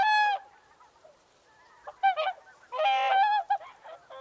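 Loud, brassy trumpeting honks from a whooper swan: one long blast, then a cluster of shorter nasal notes and another sustained honk, with softer calls between.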